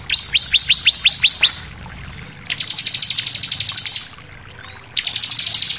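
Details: Bar-winged prinia in a persistent shooting song with variations: a series of downslurred high notes, then a long, fast, metallic run of repeated notes, and another run starting at the end.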